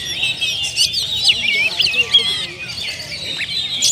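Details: Oriental magpie-robin, a kept kacer, performing a rich repertoire song used as a lure: rapid tumbling whistles and chattering twitters, dense and high-pitched, with short bright sweeps repeating quickly.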